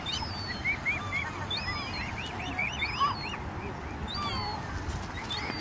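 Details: Swan cygnets calling while swimming: thin, high peeps, each arching up and down, given in quick runs of several notes through the first half, then sparser, over a steady low rumble of background noise.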